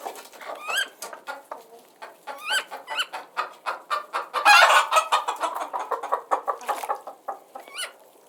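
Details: Several chickens cluck rhythmically with short upward-sliding squeaks scattered through and a loud harsh squawking burst at mid-point, clucks continuing steadily afterward.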